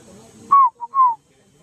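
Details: A scaled dove (Columbina squammata) in Guaviare, Colombian Amazon region, gives a soft, hollow call: two mellow, slightly falling hoots joined by a brief low note between; quiet background.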